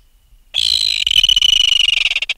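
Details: Alarmed adult red-billed tropicbird taken from its nest, heard close: an abrupt, piercing scream that quickly breaks into a quickening, harsh rattle of short pulses.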